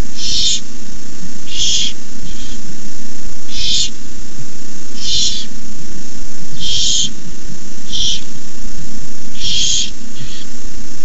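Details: Barn owl chicks hissing in the nest at 9:57 pm, 18 May 2015, as a parent arrives with a rabbit; uneven series of breathy hisses, loud ones interleaved with shorter softer ones, about every second or so, steady hum beneath.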